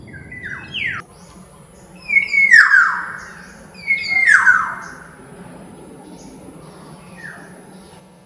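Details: Black-naped oriole calls: harsh, descending nasal squawks, two loud drawn-out ones in the middle, preceded and followed by shorter falling notes, in a quiet setting.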